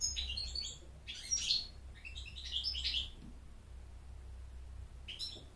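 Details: American goldfinch singing to attract a mate and to teach chicks to sing: quiet high twittering bursts at about 0.3, 1.4 and 2.5–3 seconds, a short note near the end, over a steady low hum.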